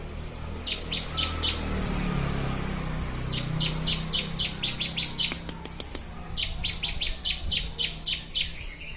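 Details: Bar-winged prinia (ciblek) song used as a master recording for training birds: bursts of quick, sharp, downslurred chirps repeated several times a second in two runs, over a steady low rumble of background noise.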